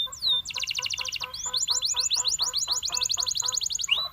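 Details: Belgian canary, a male, giving a fast, dense high trill followed by series of sharp upslurred notes about seven per second, with fainter lower pulsed tones beneath the song.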